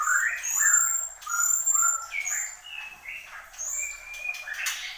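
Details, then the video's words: Horsfield's babbler (mantenan gunung) singing: clear whistled notes around the middle of the range, some sliding up or down, given irregularly about once a second, with thin high-pitched calls from other birds behind. "SUARA BURUNG MANTENAN GUNUNG GACOR"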